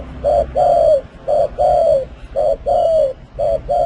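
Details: Spotted dove ranked among the ten finest cooing voices of 2020: a continuous run of low coos, each pair a short note then a longer falling one, about one pair per second, with faint high steady tones behind.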